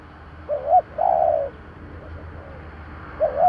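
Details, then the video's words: Decoy spotted dove cooing in the thổ voice style to lure wild doves: low, soft hooting notes, a short double coo, then a longer drawn, slightly falling coo, repeated after a pause. "Tiếng cu gáy giọng thổ gáy gọi kích bổi"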